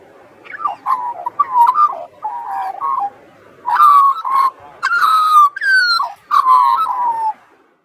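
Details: Australian magpie carolling by the sea, a long sequence of warbled, gurgling notes: softer, lower phrases at first, then louder, ringing fluty notes repeated in short bursts about once a second.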